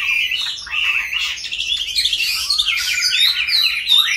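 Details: Captive Chinese hwamei, taken from the wild as an adult and in its fifth year of keeping, sings a rich, jumbled run of rising and falling whistles and quick twittery phrases, loud throughout.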